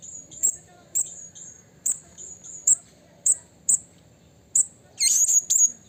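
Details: In the wild, a blue-crowned hanging parrot calls out to a rival with evenly spaced, thin, high chips roughly every half second, eight in a row, ending in a louder squealing, rising-and-falling note.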